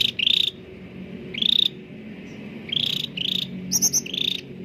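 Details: Cucak ranting (bulbul) song as a lure for quiet caged birds: evenly spaced, rasping rattled notes about a second apart, ending in a quick series of high trilled pulses, with low hum beneath.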